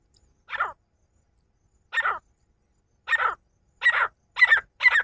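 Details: Partridges, male and female, calling with rough grating notes that speed up, gaps shrinking from over a second to a rapid cluster of three near the end.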